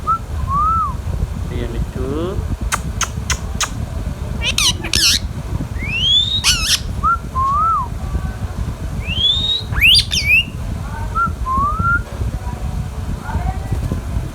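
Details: Pet Indian ringneck parrot with short rising whistles, sliding whistled notes and harsh broadband squawks scattered over fourteen seconds, against a steady low rumble of background noise.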